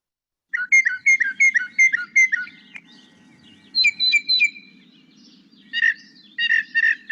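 Northern Mockingbird singing bright, whistled phrases, each repeated several times in quick succession before switching to a new one. A faint low hum runs underneath.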